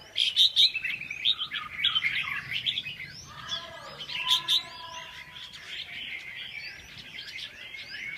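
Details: Red-whiskered bulbul song in a busy chorus: a strong run of sharp chirps and rolling warbles early on, then a softer, denser mix of twittering voices continuing to the end.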